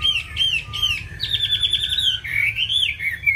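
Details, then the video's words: Caged Chinese hwamei singing eagerly: bright whistled notes, then a rapid, buzzy trill held steady, ending in loud, rolling, looping whistles. "Mi hót hay đẹp cb8864c nhiều giọng rừng hay mau mỏ"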